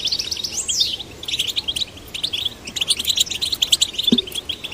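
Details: Young goldfinches, male and female, prompted to sing in captivity: a rising-then-falling sweep opens into quick high chirps and rattling trills, with a single sharp knock toward the end.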